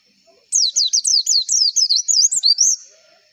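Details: White-eye song for stimulating competition birds to sing: after a brief silence, a rapid string of about fourteen high, wavering whistled notes rising and falling, lasting a little over two seconds, then stopping.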